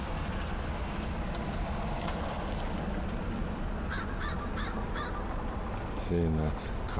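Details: A cautious female American Crow with a softer call, recorded 10/5/2013. It gives four short, quiet caws in quick succession near mid-clip, half buried in heavy low rumble. A brief low droning tone follows near the end.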